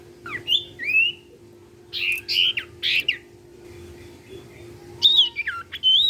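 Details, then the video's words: Sirtu cipow, played to get untrained sirtu singing: rising thin whistles, harsher noisy bursts, then more clear high whistled notes, all above a steady low background hum. "SIRTU CIPOW GACOR BIKIN SIRTU BAHAN IKUT BUNYI."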